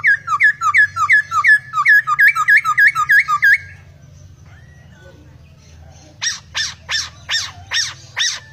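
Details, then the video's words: Laughingthrush in lively, varied song with strange notes: a rapid, regular string of short whistled notes, each dipping and rising, lasting over three seconds. After a pause come six harsh, buzzy, sharply descending notes in steady rhythm. "Poksai gacor isian full...suara anehh"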